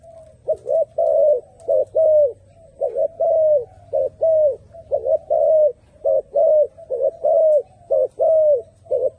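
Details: Turtle dove giving repeated mid-pitched coos, each note slightly arched and some doubled, roughly one per second in an uneven rhythm, with a low steady hum in the background.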